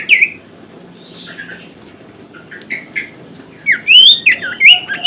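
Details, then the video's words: Common Iora song played as a lure for a caged bird that has stopped singing: soft scattered whistles at first, then a loud cluster of rising and falling slurred whistles. "pancingan sirtu macet bunyi & malas bunyi"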